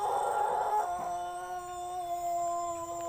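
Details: Pelung chicken from Plered, Purwakarta Regency, crowing: the tail of a long, tuneful crow, a steady harmonic tone that drops slightly in pitch after one second and is then held evenly to the end.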